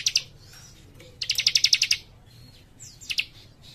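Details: Young cikrak chattering energetically: a brief chip, then a fast burst of a dozen sharp, high, evenly spaced notes, followed by a thin whistle and a short clipped double note.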